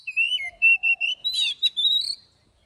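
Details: Morning song of an Oriental magpie-robin in training, forest-voice style with long drawn notes: steady clear whistles, one dropping, a brief buzzy burst, then a rising whistle, over a faint low cooing tone.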